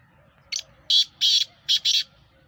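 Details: Black francolin, locally kala teetar of the Sheedi nasal strain, a kept bird offered for sale, giving five loud, harsh, grating notes in a quick staccato phrase lasting about one and a half seconds, against a quiet background.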